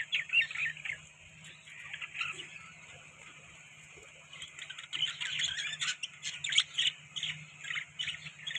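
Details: Budgerigars eating soft food chirp continuously, a dense chatter of quick high twitters and squeaks over a steady low hum.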